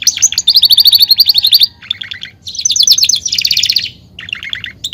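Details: Belgian canary song in a cage, delivered as rapid rattling trills of high notes in two long bursts separated by softer, lower chattering phrases; fast and continuous, nothing else audible.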